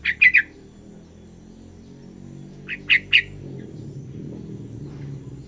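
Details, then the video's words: A juvenile yellow-vented bulbul practising its song gives two brief clusters of three loud, clipped, bubbly notes separated by a pause, with a low background rumble. "anak trucukan belajar ngacor"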